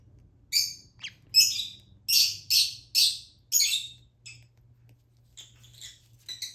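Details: Lutino Fischer's lovebird baby during hand feeding, calling in quick clusters of grating, buzzy high squeals, loudest early then fading to softer chirps, with a quiet electrical hum beneath.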